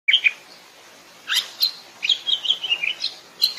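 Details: Greater green leafbird singing in the wild, a short run of scattered bright chirps and whistled notes with brief pauses, quiet background.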